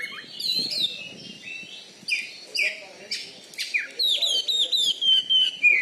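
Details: Champion caged kacer, an Oriental magpie-robin from Bengkulu known for its loud fighting-style singing. Fast tumbling phrases of whistles and chips, ending in a run of repeated clear rising notes.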